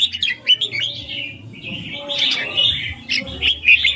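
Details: Red-whiskered bulbul kept in a cage, giving bright, sweet warbling song with rising and falling slurred notes and short chirps, a low hum running underneath.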